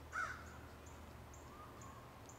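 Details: Crow calling in woods: one short, harsh caw right at the start, then quiet, with faint high ticks repeating about every half second over a low, steady background rumble.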